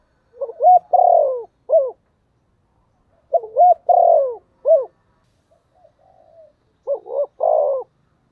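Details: Caged decoy spotted dove calling in the thổ voice style to lure wild doves: three loud phrases about every three seconds, each a short hooked double note then a long rough coo and a final clipped note. Quiet background.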